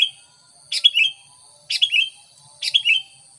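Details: Lure recording of a sooty-headed bulbul for trapping wild birds, giving three quick chattering phrases in about a second apart, each a bright burst dropping into a liquid falling note, with steady faint high-pitched hiss behind.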